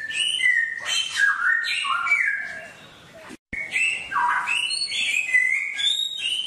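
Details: Wild-style songbird song used as daily training for caged birds: bright whistled notes stepping up and down in quick phrases. A brief silent break comes mid-way before the whistling resumes.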